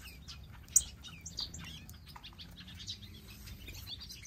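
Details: Finches in an aviary, among them zebra finches, major goldfinches, gouldian finches and long-tailed finches, chatter with many short, high chirps and tweets over one another, over a low background hum.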